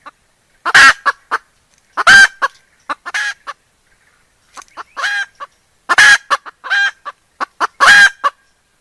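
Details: Junglefowl hen calling for a mate, summoning the male: grating, noisy squawks with brief trailing notes, grouped in irregular bunches with a short pause midway, no other sounds.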